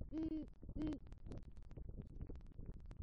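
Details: Great horned owl pair at a southwest Florida nest tree, November night; the male, arriving with rodent prey, calls for the female with two deep, even hoots early on, then softer faint hooting amid crackle.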